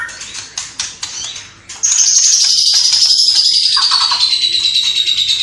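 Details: White-rumped shama in full song with imitated sparrow, battling lovebird and kapas tembak calls, Cililin: several dry snapping notes, then a long shrill high trill sliding slowly downward for over three seconds.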